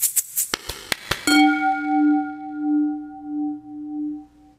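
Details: A few sharp metallic taps give way to a long ringing tone like a struck singing bowl, slowly fading.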